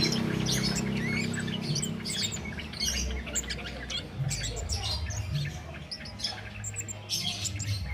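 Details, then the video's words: Flowerpecker known locally as cit keres, singing nonstop without doping and used as a master recording for training songbirds: dense high, thin chirps and short squeaky twitters throughout over a steady low hum. "Cit Keres Nembak Buat Masteran"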